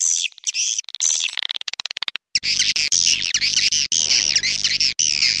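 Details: Edible-nest swiftlet call in the 'clop tanjung' style, played to lure swiftlets into nesting houses: quick high chirps, then a fast run of sharp clicks, then dense, buzzy twittering phrases repeated rapidly over a faint low hum.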